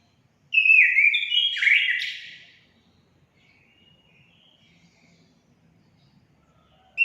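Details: Orange-headed thrush singing, played to stir caged birds into song: a short burst of rich, clear whistled phrases stepping up and down for about two seconds, then near-silence until a fresh note starts at the end.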